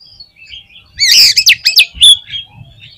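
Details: Oriental magpie-robin in vigorous full song: after a faint thin whistle, a loud burst of sharp, rising and falling whistled notes, about eight quick strokes within one second, on a quiet background.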